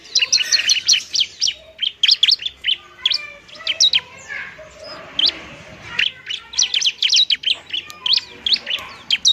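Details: Fighting song of a bar-winged prinia, meant to lure and provoke reluctant birds to sing: dense runs of thin, high chirps, a quieter gap near the middle, then more chirp clusters.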